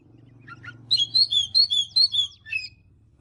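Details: An Oriental magpie-robin in the morning gives a short phrase of about eight clear, repeated whistled notes after two soft chirps, over a low steady hum.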